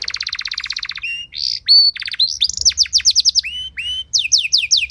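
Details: Canary song used as a training track to prompt other canaries to sing: fast trills of repeated descending notes, buzzy rolls and clear whistled slides, changing phrase every second or so, bright and loud.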